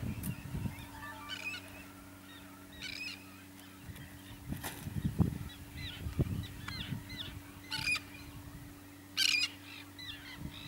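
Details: Pied avocets on Texel, Netherlands, in 2013 give short, fluty 'kleep' notes, scattered and repeated over a steady low rumble of wind or distant traffic.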